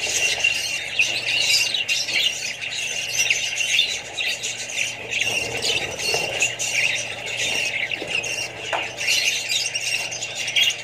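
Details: A group of Australian budgies with other birds and chicks, calling nonstop in a noisy chorus of harsh squawks, quick chirps and warbling notes layered over one another, a steady hum underneath.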